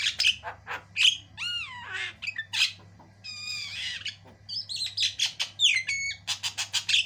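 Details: Javan myna, white-eyed form, singing very actively in a tutor recording with long, varied song: harsh squawks and buzzy bursts mixed with clear rising and falling whistled slurs, quick chattering notes near the end, and a steady low hum behind.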